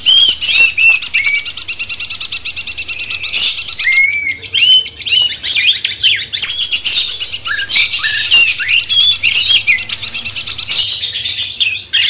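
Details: Sooty-headed bulbul master song to excite a magpie-robin: chains of bright, slurred whistled phrases rising and falling, delivered in bursts over a continuous high-pitched twittering hiss.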